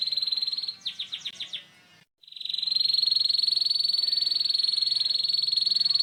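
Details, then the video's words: Canary giving the rough ngeriwik song, played to teach young canaries: a high rattling trill breaks into about six quick downward-swept notes, falls silent briefly, then the steady buzzy trill resumes and runs on. "kenari ngeriwik kasar 100% RESPON❗Suara Pancingan KENARI PaUd Cepat BeLajar BUNYI NgeriwiK"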